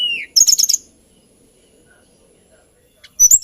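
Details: Hill blue flycatcher, or tledekan gunung, giving a brief falling whistle and a quick high twitter, then a long quiet gap before another short burst.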